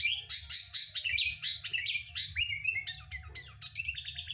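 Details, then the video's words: Sooty-headed bulbul song, played as a lure to get a kept bird singing quickly: a rapid, unbroken run of bright chirps and warbled notes, sliding up and down, with a low hum underneath. "Pancingan burung kutilang agar cepat bunyi"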